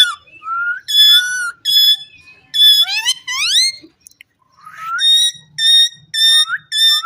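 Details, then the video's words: Caged Indian ringneck parrot, presented as talking, alternates loud rising whistles with bright harmonic calls and a rapid upward-swooping burst midway, then a pause and a fresh series of ringing notes. "Gergeous parrot in one cage in amazing talking"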